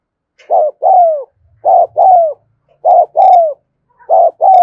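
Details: Spotted dove giving the rapid, continuous 'thúc gù' cooing, recorded in the afternoon: three paired phrases, each a short clipped note then a longer downward-sliding coo, repeated about every 1.2 seconds in an otherwise quiet setting.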